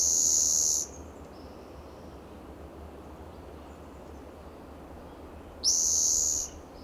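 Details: Spotted Towhee perched in the shade of a lichen-covered coast live oak, Del Monte Forest, California, on a June morning; two rasping, buzzy trills about five seconds apart, each under a second, with faint high notes between.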